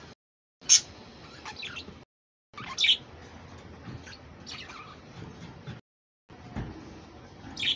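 A budgerigar gives short, high, sharp chirps and scratchy warbles, spaced a second or two apart, over a faint steady background hiss.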